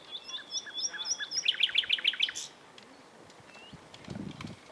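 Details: Common nightingale singing among shrubbery on 27 April 2021, in spring, where several nightingales lived; a fast series of sharp, high repeated notes runs for about two seconds, ending in a harsh burst, followed by quieter background rustle.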